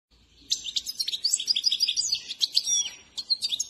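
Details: Trained caged European goldfinch, called Himalayan saira, singing: rapid twittering of high bright chirps, trills and short whistled notes, dense and varied, with a brief pause near the end before the twitter resumes.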